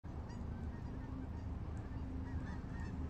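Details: Geese honk in a low, steady chorus under the continuous hiss of falling rain, recorded on 17 October 2023.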